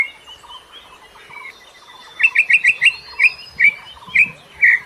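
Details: White-rumped shama recorded in the forest, used as a lure for caged birds still learning their song: soft background twitters, then a loud run of short repeated whistled notes, closing with one fuller burst.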